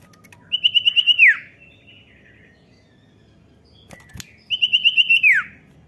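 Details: Common iora call played to prompt a young bird to sing: two matching phrases, each a short run of rapid high chirps ending in a steep downward slur, separated by a pause with a click.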